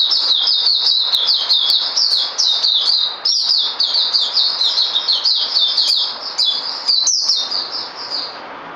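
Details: White-rumped shama pouring out fast, unbroken song of bright whistled slurs and chips, phrases tumbling one into the next at a steady high pitch, with faint low background noise.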